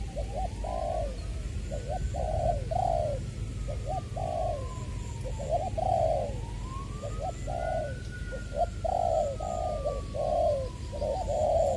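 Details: Spotted dove kept as a decoy, Long Đức, Trà Vinh, 22 February 2021, "giọng tiểu" voice style; rhythmic groups of short hollow coos repeated throughout, while a siren rises and falls in the background.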